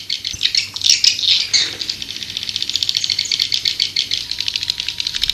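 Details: High swiftlet chatter played to attract birds, opening with loud squeaky twitters, then running into a long steady rattle of quick, sharp clicks that continue to the end.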